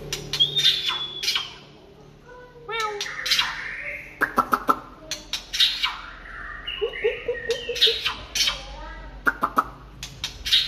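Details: White-rumped shama in the late afternoon, giving varied short whistles and chatter among many sharp clicks, including a quick series of about five repeated low notes.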